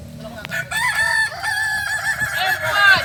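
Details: Native Solok Kokok Balenggek cockerels from West Sumatra at a group crowing practice. Drawn-out, tonal crows with small steps in pitch follow one another, and a faint murmur of people lies beneath.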